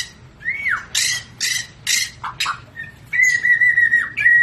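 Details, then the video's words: White-rumped shama singing in an agile, aggressive style: a slurred whistle, several harsh buzzy rasps, then a sustained steady whistled note with fine trilled texture. "Kelincahan MURAI BATU SUPER dalam berkicau"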